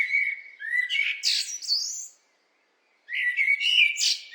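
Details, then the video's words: A blackbird sings a drawn-out whistled phrase ending in a high thin twitter, falls silent for about a second, then starts another warbled phrase. "What do blackbirds sound like?"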